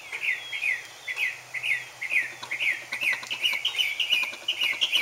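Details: Northern mockingbird; song; attracting a mate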